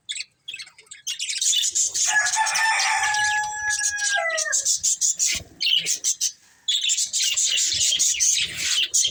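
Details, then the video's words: A budgie family chirps in a busy, scratchy warble, with a prolonged falling call behind it for about two seconds, then continuous rapid twittering after a brief break. "Cute Budgies Chirping Sounds"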